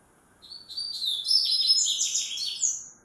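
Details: Double-collared seedeater delivering an unusual 'grego'-style song, a dense, high-pitched run of fast twittering and trilled notes lasting over two seconds, steadily loud, over a quiet hissing background.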